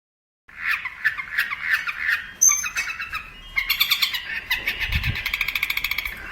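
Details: Long-tailed shrike master song for training birds: varied warbling phrases in a middle pitch, a brief high whistle, then a fast run of bright repeated notes speeding up toward the end, with faint low rumble.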